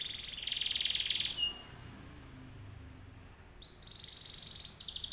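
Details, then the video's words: Canary song played to lure other canaries into answering: a quiet, high, buzzy rolled trill lasting about a second, a pause, then another high rolled trill, over faint low background noise. "PANCINGAN BURUNG KENARI 100% IKUT NYAUT"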